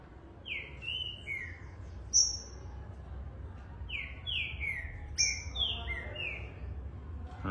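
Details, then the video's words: Young Green-winged saltator on 30 September giving clear whistled phrases that slide downward, in short bursts with pauses, over a low background hum. It is fast but not yet linking its songs together. "trinca ferro filhote bom !"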